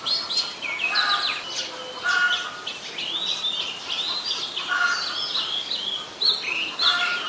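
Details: Oriental magpie-robin singing in Ubon Ratchathani, Thailand, 26 December 2020; melodious arching whistles and fluty slurs with some lower-pitched notes woven in, steady and continuous, with a faint background hiss.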